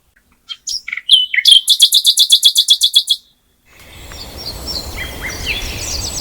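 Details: Songbird with a few scattered high notes, then a fast run of about a dozen evenly repeated bright trilled notes, followed after a pause by a hissing outdoor background with distant chirps and whistles.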